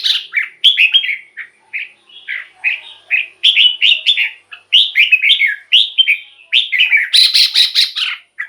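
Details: Continuous red-whiskered bulbul song for rousing caged birds: a steady stream of slurred, liquid whistled phrases repeated quickly, ending in a harsh rattling burst.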